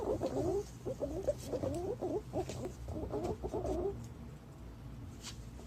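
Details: Green pigeon call used to lure its kind: about four seconds of tangled, rapid warbling whistles, then the notes stop and a faint background hiss remains.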